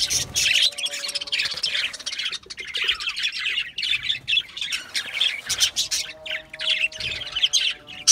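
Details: Budgerigars chattering in a group: dense, scratchy warbles and squawky chirps overlapping continuously, with short bright tweets and a faint steady low hum underneath.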